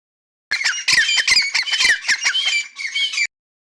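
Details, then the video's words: A grey francolin (dakhni teetar) gives a quick run of shrill, harsh, squawking notes, about three seconds of loud, grating calling with no other sounds. "grey francolin voice"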